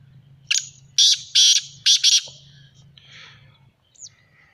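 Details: Black francolin, locally called kala titter, kept as a bird owner's own bird, giving a harsh, grating phrase of about five loud buzzy bursts in quick succession, then fainter scratchy notes and a soft low hum beneath.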